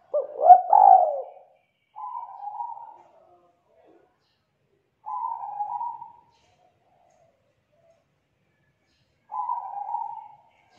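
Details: Kuk 2 spotted dove, young and wild-caught, in loud melodious song: an opening rough, throaty coo burst, then three smooth low coos of about one second each, spaced roughly three to four seconds apart.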